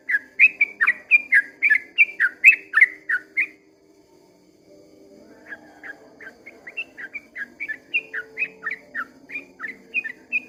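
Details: Dawn 'ropel panjang' song of a sooty-headed bulbul: a loud burst of rapid chirpy whistled notes, then a brief silence, then a fainter, more distant-sounding run of similar quick slurred notes.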